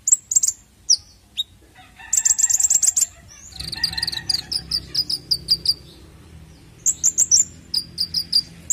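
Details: Lure sound of a konin bird for young untrained birds: thin, very high chirps and quick trills, a fast rattling series, then a run of regular bright chips and further scattered high bursts.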